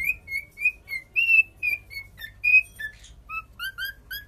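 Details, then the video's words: Cockatiel singing a run of short clear whistles, mostly level and about equal in pitch, a few dropping lower toward the end, with brief soft chatter between notes. "Cockatial singing."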